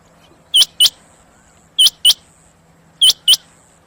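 Rain quail giving sharp, high, metallic double notes, 'whit-whit', repeated about every second and a quarter, with a faint low hum behind.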